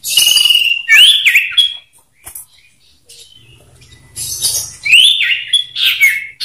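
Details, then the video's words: Two caged male common ioras in a one-on-one song duel, used as a lure to make other ioras sing; loud whistled phrases with rising slurred notes and buzzy bursts around two bursts, separated by a quiet pause. "Adu suara sirtu ngetir meriwit nyipow Variasi"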